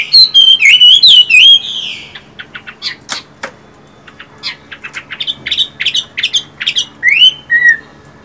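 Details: Caged Chinese hwamei song: loud looping whistled phrases that rise and fall, then a run of short sharp clicks and chips, building to buzzy repeated notes and a final upward-sweeping whistle.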